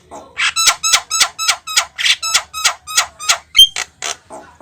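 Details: Javan myna singing hard to encourage other birds to join in: a steady train of buzzy, harmonic chattering notes, roughly three to four each second, ending with a thin, high whistle.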